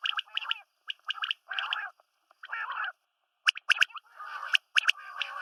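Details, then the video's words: Batair (quail), female and male calls mixed together: rough, gargling bursts alternate with crisp, high, clipped notes in irregular groups. No background noise. "Female Batair Calling | Male Batair Sounds | Mix Calling | Batair Ki Awaz | Female Quail Sounds"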